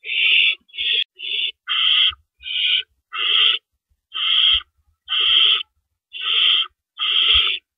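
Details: Owls at a nest before dawn, 4:31 AM, April 4, 2012, with rabbits being delivered as prey; about eleven rasping, hissy bursts arrive roughly once a second, some short and some longer, with faint low knocks beneath.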